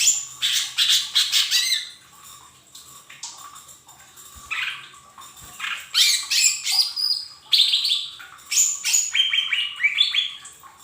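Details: Lesser green leafbird (mini form) song used as a lure to get caged birds singing quickly: a rich, varied run of high chirps, squeaks and rapid twittering in bursts, with short quieter pauses between phrases.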